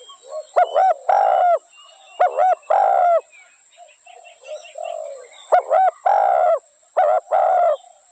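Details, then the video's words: Spotted dove giving repeated coo phrases, each a clipped note followed by a fuller, longer hollow coo, four phrases with softer background chirps and murmurs in the gaps. "Spotted dove sound original"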